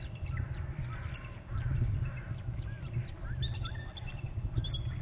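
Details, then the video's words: On November 13 a nest camera on Hornby Island captures bald eagle parents trilling at the nest: scattered sharp, high chips build into a quick cluster of sliding, piping notes near the end, with a steady wind rumble underneath. "trills and mom on bst; flies off and back and dad in from left and both trilling"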